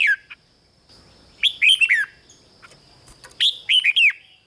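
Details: Caged-bird motivation recording of a red-whiskered bulbul in Thailand: a brief note, then two bubbly phrases of quick, descending whistled notes about two seconds apart, over a faint continuous high hum.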